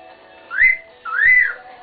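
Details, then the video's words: Pet male cockatiel giving a wolf whistle: two clear whistled notes about half a second apart. The first is a quick upward sweep, and the second rises then slides down, with faint low hum underneath. "wolf whistling"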